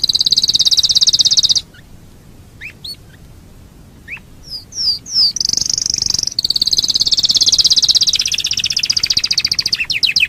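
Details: Canary in fast, vigorous 'gacor' song, played to spur birds for singing contests: long loud rolling trills, a pause with scattered rising chirps, then quick slurred notes leading into more sustained buzzy rolls and a final burst of rapid notes.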